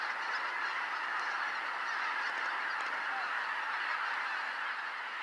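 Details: Greater white-fronted geese, a flock arriving at Kotomo Pond to roost, 13 October 2019 at 17:25 after a 17:05 sunset. Dense, unbroken chorus of overlapping honking calls with no single bird standing out.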